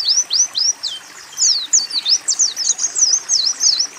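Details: Oriental white-eye song in a training recording with canary and sunbird phrases: a string of high, swooping slurred whistles and squeaky twitters, unhurried and varied.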